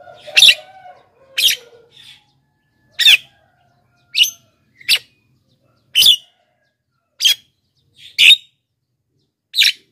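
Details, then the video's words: Javan myna lure recording meant to draw wild mynas, giving loud, harsh, scratchy bursts about once a second, with a few soft whistled notes in between. "JALAK KEBO super gacor"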